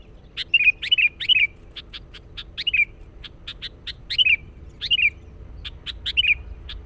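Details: Sooty-headed bulbul singing for luring wild birds, delivering bubbly, downward-slurred phrases in clusters of two or three notes, mixed with sharp repeated high chirps and a thin steady background tone.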